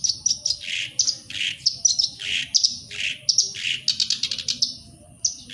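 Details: Black-browed reed warbler (sincan) singing, used as a lure to make caged birds sing: rapid chattering phrases of harsh high chirps and buzzy notes, alternating scratchy bursts with brief pauses.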